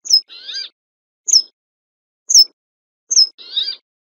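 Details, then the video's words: Brambling: high, sharp downslurred notes at intervals of about a second, with a harsh, nasal, layered buzz after the first and last notes. "صوت الشرشور الجبلي او الحسون الجبلي"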